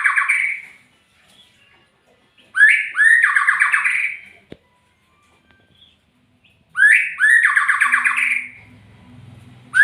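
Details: Magpie-robin song: loud phrases, each opening with a rising whistled upsweep and breaking into a rapid, buzzy, descending trill, sung in bursts a few seconds apart with silent gaps; a faint low hum near the end.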